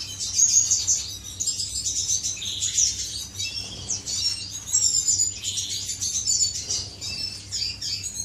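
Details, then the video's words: Several aviary finches in courtship, with dense high-pitched twittering and short squeaky phrases that rise and fall in loudness and overlap continuously. "غزل بين طيور الفنش داخل مطير"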